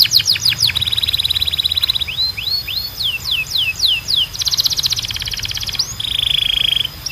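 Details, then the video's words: Training song of a canary, played to make pet canaries sing more: descending and rising whistled slurs in quick series, dense fast trills, and a level buzzy roll near the end. "A Canção de Treino Mais Poderosa da Canary"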